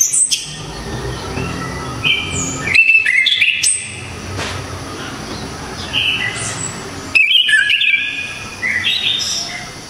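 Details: Anis kembang, the orange-headed thrush of Java, in sharp, loud song: a couple of strong burst phrases of quick stepped whistles and rasping notes, with softer whistled fragments between them.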